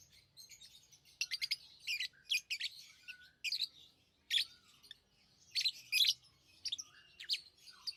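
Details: Lovebirds, kept as tame pets, trading shrill chirps and squeaky chatter, dense clusters of rapid harsh notes mixed with softer twittering, almost continuous high calling.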